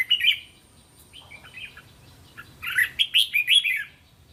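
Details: Red-whiskered bulbul training song with phrases of three to five syllables: a brief warble, softer notes, then a loud bubbly run of rapid rising and falling whistles, over a faint steady hiss.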